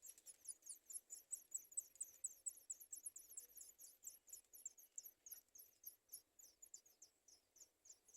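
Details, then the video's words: Sooty chat chicks crying for food: a rapid, continuous string of thin, very high chirps, several each second, uneven in loudness, with faint low background hum. "Sooty chat trying Baby Birds cry for food"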